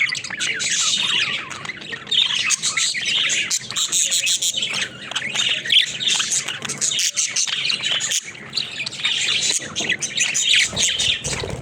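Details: Pet budgerigar flock at play inside a cage, giving nonstop overlapping warbling and scratchy chirps, bright and high, with short clicks and taps mixed in and barely a break across the recording.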